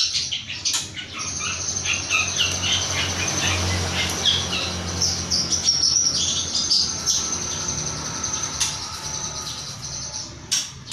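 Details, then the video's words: Young long-tailed shrike, three months old, still calling after its tail feathers were plucked. It gives rapid, thin, high chirps in irregular bursts over a steady high-pitched insect-like whine and a faint low hum. "piyek cendet 3bln super bandel. habis di cabutin ekor..tetep bunyi."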